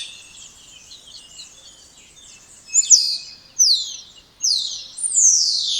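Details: Soft, jumbled high chatter from a spotless starling gives way to four loud, descending whistles. Each swoops downward, spaced about a second apart, with the final one longest.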